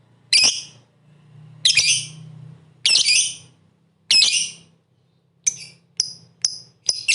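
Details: Lovebird calls used to provoke rival lovebirds to sing: loud shrill chirps repeated roughly every second and a quarter, then a faster run of short, thinner chirps, over a faint low hum.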